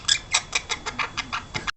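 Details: Indoors, a twelve-week-old pet princess parrot makes a quick run of about eight raspy, high chirps spaced evenly, roughly five per second, ending abruptly.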